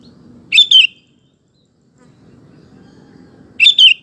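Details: Sooty-headed bulbul singing constantly, used to coax male bulbuls into song; two matching short bubbly two-note phrases about three seconds apart, with faint low background noise.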